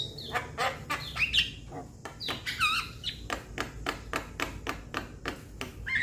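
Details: Young Javan myna calling to its companions: rapid dry clicking notes repeated several times per second, with a few short whistled and rasping notes woven in.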